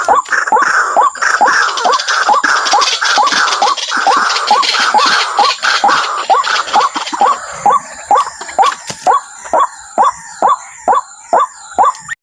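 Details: Waterhen giving loud, dense, overlapping slurred calls for the first eight seconds, then spaced single downward notes about two per second, over a constant thin high-pitched background hum.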